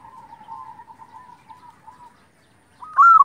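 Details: Local zebra dove singing, used as a lure to provoke other zebra doves. Soft, wavering cooing notes run for two seconds, then a short pause before a loud, rapid burst of stuttering coos at the end.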